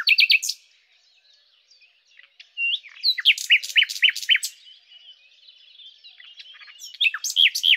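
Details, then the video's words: Singing common nightingale (Luscinia megarhynchos) delivering quick whistled bursts, a pause, then a loud series of repeated rising notes with clicks above, soft chatter, and a final burst of descending and looping whistles. "Common_Nightingale (Luscinia megarhynchos)"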